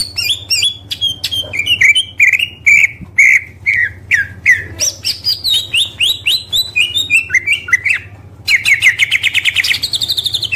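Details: Oriental magpie-robin, a songbird raced in singing contests, in a rich masteran of fills and bursts: steady repeated whistled notes stepping down in pitch, then a rising rattle and a fast buzzy trill near the end.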